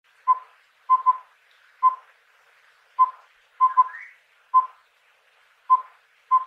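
Collared owlet giving mellow, evenly pitched whistled hoots in a repeating single–double–single pattern, roughly one phrase every two seconds; otherwise quiet.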